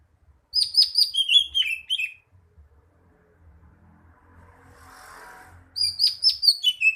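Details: Greater green leafbird singing two quick bursts of sharp, high, falling chirps, several notes each, separated by a few seconds of near quiet with a soft hiss and low rumble.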